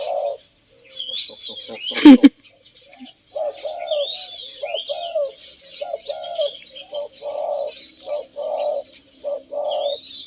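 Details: Caged male Spotted Doves, a deep-voiced bird and a medium-voiced bird, singing together after two years in the cage. Short clipped coos come in regular bursts after a sharp bang, with faint high bird chirps in between.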